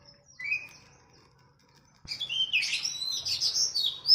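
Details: Oriental magpie-robin, a captive bird, training song used to prompt a caged bird to sing: a thin rising whistle, a pause, then a loud burst of jumbled chirps and rich warbling phrases in a quiet room.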